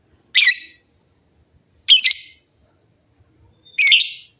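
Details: Many lovebirds calling in reply to each other. Three piercing, rasping squawks, each about half a second long, are spaced roughly 1.7 seconds apart over a quiet background.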